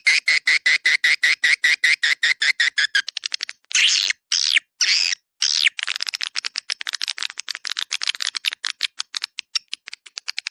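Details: Swiftlets' calling sound, "dua bidadari" type, used to attract them in a central swiftlet area: regular high chirps at first, then long raspy buzzing chatters around four to five seconds, ending in quick fluttering clicks.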